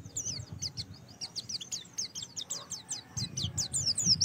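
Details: Oriental white-eye song played as a prompt to start birds singing: a continuous stream of rapid, high, slurred chirps and twittering notes throughout, fairly quiet, over steady low rumbling background noise.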